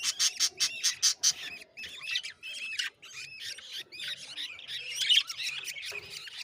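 Young budgerigars chatter in rapid, scratchy squawks and warbled notes, several voices overlapping.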